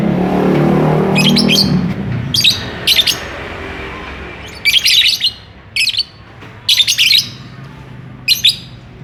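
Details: Courting lovebird wanting to mate, calling in repeated shrill, buzzy chirp bursts, several in close pairs, spread across the stretch; low rumbling background early on.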